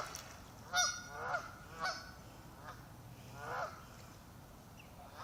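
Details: Ducks at a lake near the shore give warning calls while swimming farther away from a visitor arriving on the bank: four nasal, harmonic honking calls, uneven and about a second apart, over a faint steady background hiss.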